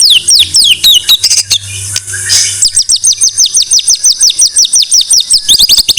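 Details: Murai batu, the white-rumped shama, in a masteran tutor recording: high slurred notes at first, a brief harsh rasping burst, then a long steady series of quick downward-sweeping whistles repeated about twice a second.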